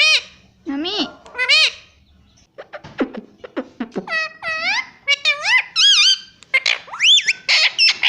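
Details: Pet ringneck parrot kept indoors, mimicking speech such as mummy and papa; loud high wavering whistled syllables with strong harmonics, in bursts separated by short pauses, some sharp clicks between.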